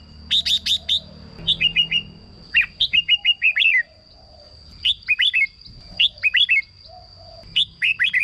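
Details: Red-whiskered bulbul for decoy use or to excite caged birds, singing rapid series of bright whistled notes in short phrases, some stretched into runs of five or six, with a steady high whine behind.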